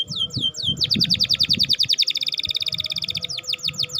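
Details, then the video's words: Canary in vigorous 'gacor' song, used to coax silent canaries into singing: a few curved whistles, then a fast bright trill of repeated notes slowing into separate sweeps, over faint low rumbling. "Kenari cuit-cuit gacor !!? Pancingan kenari macet, perangsang kenari paud, kenari malas bunyi."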